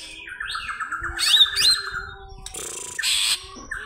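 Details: Greater green leafbird (cucak ijo) held by an Indonesian bird seller, calling an opponent: a descending buzzy trill, then sharp high chirps, followed by two harsh noisy bursts.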